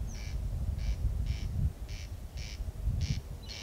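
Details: Corn crake calling after dark in Kiili parish on 14 June 2021, filmed at 01:35: loud grating double rasps about every half second, with low rumbling noise underneath.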